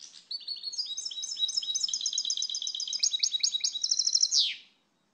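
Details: Continuous five-second stretch of goldfinch song: fast, rolling, metallic twitters repeated in even rhythm, ending in a buzzy downward flourish; slight background hiss.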